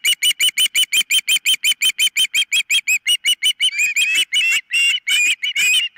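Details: Nest-camera recording of an osprey at the nest, 4 September 2023 near 10 a.m.: a long, quick train of shrill whistled chips, about three per second, turning into longer, wavering squeals toward the end.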